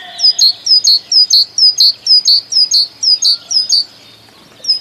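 A titmouse sings a fast run of high, thin two-note phrases, about three each second, then breaks off briefly before starting again.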